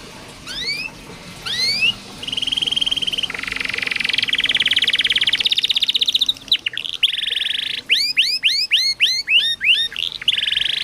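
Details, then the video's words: Canary song used to coax reluctant caged canaries into singing: two quick rising whistled sweeps, then long buzzy rolled trills, then a rapid series of repeated upslurred notes ending in another buzzy roll. "KENARI malas bunyi, Terapi burung macet/susah bunyi masteran kenari"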